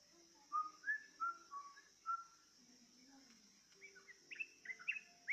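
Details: Yellow-vented bulbul coaxed to sing with a lure: clear whistled notes, each a short slide, given about once every half second. Then a quick run of higher, sharper chirps. A constant high whine sits in the background.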